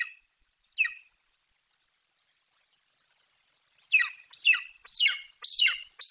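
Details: Young golden eagle in its nest tree in Bucovina, 28 July 2021, calling as its mother flies in with a Eurasian magpie. Two sharp downslurred screams, a silent pause, then a fast series of high, harsh, falling cries.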